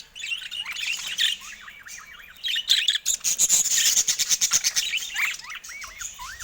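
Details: Caged budgerigars going at a camera, chattering in a fast warble of wavy rising-and-falling notes over a rapid train of clicking taps.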